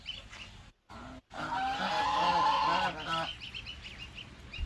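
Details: Goose with goslings; a loud harmonic honking call lasting about two seconds stands out over noisy handling sounds, with short chirps and clatter before and after.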